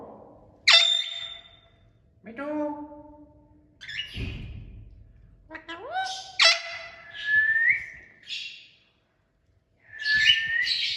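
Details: Talking parrot kept as a pet, vocalising indoors: loud harsh squawks with strong overtones, nasal speech-like phrases, sliding whistled notes rising and falling, and a raspy burst, separated by short pauses, with faint room noise.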